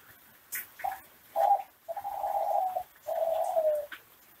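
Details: Indonesian-bred Kelantan classic ringneck dove with a master song for other doves: two short soft coos leading into two long, level, rolling coos that sink slightly at the end, with light clicks in between.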